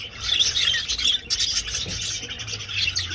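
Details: Budgerigars flying in an old aviary. Harsh, high squawking chatter from several birds, broken by a brief dip just after one second before resuming.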